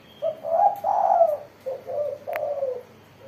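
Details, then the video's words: Spotted dove singing persistently with a crisp voice, the style called mersik. Four low hooting coos come in two paired phrases: a longer swelling note follows a short one, with a faint click near the end. "burung tekukur derkuku gacor suara mersik"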